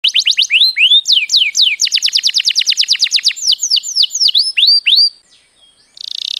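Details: Canary song of loud, clear descending whistled sweeps repeated in quick series, several steady rapid runs, then a short pause before a buzzy trill at the end.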